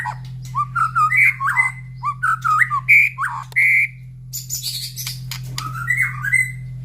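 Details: Morning song of a caged white-rumped shama placed near other birds' breeding cages, the birds answering one another. Loud, varied whistled and warbled phrases are followed by high, scratchy chatter, over a faint hum.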